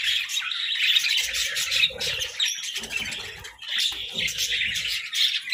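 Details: Several budgerigars eating vegetables and chirping in bursts of rapid warbling chatter separated by a brief lull, with soft low knocking and munching sounds between.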